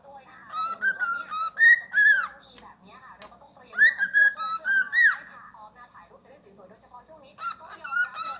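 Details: Pet cockatiel imitating Happy Birthday in shrill, harmonic-rich whistles, three tuneful phrases of several notes each, the longer ones sliding upward at the end, with short gaps between them.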